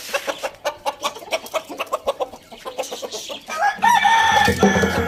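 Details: Village farm rooster, among chickens eating tomatoes, gives a loud crow with a short rising start and a long steady note, after a run of rhythmic clucks or pecking sounds.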